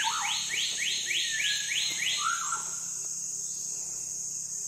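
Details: An Andaman shama in South Andaman gives a quick run of about seven bright, down-slurred notes, then a lower rich whistle, over a steady high insect-like hiss.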